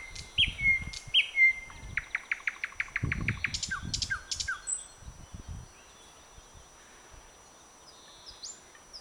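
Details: Thrush nightingale singing on the branches of a blooming bird cherry on 21 May 2009: clear whistles, then a rapid run of about a dozen evenly repeated sharp notes, then falling slurred notes; low rumbling thumps beneath.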